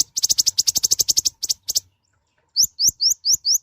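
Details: Loud-voiced tiny sunbird, the kolibri ninja, opening with a rapid chattering trill of high notes, breaking off, then six rising whistled chirps repeated about every quarter second.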